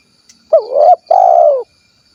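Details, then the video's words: One clean double coo from a spotted dove of the 'kuk 1' variety, Cilacap, Central Java: a brief wavering note, a short pause, then a drawn-out hoot that sinks slightly at its end. "SUARA BURUNG TEKUKUR / DERKUKU KUK 1 GACOR"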